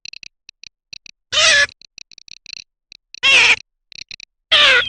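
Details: Garganey: a steady patter of light dry clicks, punctuated by three loud rasping calls that slide downward in pitch.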